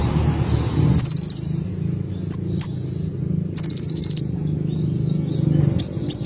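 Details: Olive-backed sunbird in energetic song, two high rapid buzzy trills separated by thin sharp tsip notes, with low rumbling background noise.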